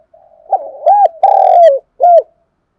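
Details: Morning call of a spotted dove kept to lure wild birds: soft lead-in notes, then two short arched coos, a sustained descending coo and a closing clipped coo, recorded clean and quiet.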